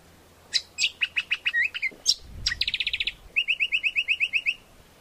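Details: Greater green leafbird song used as a lure and training master: varied whistled and sharp notes, then fast trills of repeated rising notes near four per second, ending in a run of bright upslurred whistles.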